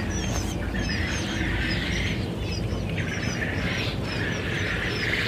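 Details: Group of quail chicks, 15 February 2021, giving a dense stream of short, high, sliding peeps from several birds at once, partly masked by heavy continuous background noise.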